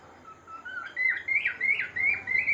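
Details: Pet cockatiel singing indoors: a run of clear whistled notes that climb from a low start into bright, bouncing two-tone phrases, each swooping up and down and repeated several times in quick succession.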